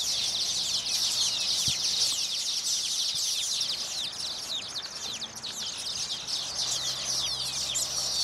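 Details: Nesting baya weavers sing and dance to attract females to their new nests. Dense, rapid high-pitched chattering trills persist throughout, with a few soft low thumps in the background.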